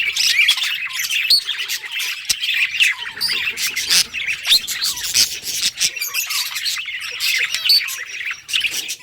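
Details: Budgies in a cheerful singing session, busy warbling chatter mixed with harsh squawks and clicking, nearly unbroken from start to finish.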